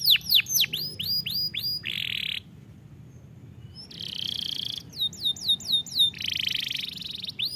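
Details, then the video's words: Canary singing for canary training: runs of quick descending whistles alternate with harsh buzzy rattling bursts, separated by a short pause, then more whistled sweeps and buzz. "Este poderoso som de canário é adequado para treinar seu canário"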